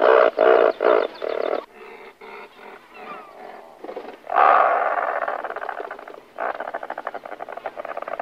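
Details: Razorbills, several birds near nests in a breeding colony, calling just before take-off: harsh grunting bursts in a rapid series, then a longer rasping stretch and a run of dense, buzzy notes.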